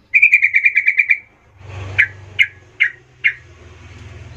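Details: Sooty-headed bulbul lure sound in 'gacor ngerol' style for calling companions: a fast run of about ten whistled notes, then four separate sharp chirps under a steady low rumbling background.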